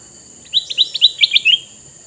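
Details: Male sooty-headed bulbul with red eyes, kept to draw wild bulbuls, pours out a rapid bubbling phrase of about eight short chirps, ending in a longer rising slurred note.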